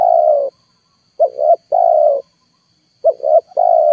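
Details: Played as a lure for wild birds that stay up and do not land, a spotted dove coos: a long falling note, then two quick rising notes and another drawn-out coo, repeated about every two seconds, with a thin constant whine behind.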